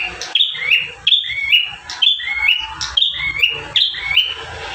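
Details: Bar-winged prinia (Prinia familiaris) song: a high, sharp phrase of bright chirps and rising slurred notes repeated about once a second, over a faint low rumble.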